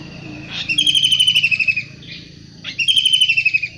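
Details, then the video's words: Long-tailed shrike from the wild uttering two harsh, chattering rasps, each slightly falling in pitch, about two seconds apart, over a faint low hum. "Tengkek udang gacor asli alam liar"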